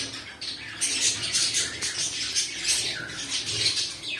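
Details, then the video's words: Squawking and chattering from pet cockatiels, rough broadband calls in quick uneven bursts over about four seconds, with some wing flutter. "My Cockatiel Birds"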